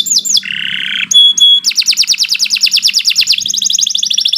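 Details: Training lure recording of a canary in long continuous song: rising slurred notes, a buzzy burst, a ringing whistled tone, then rapid rolling trills that speed into a dense high chatter.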